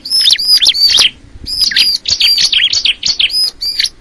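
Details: Short burst of bar-winged prinia song: clear high whistles and sharp chirps, a pause near the middle, then more rapid twittering notes.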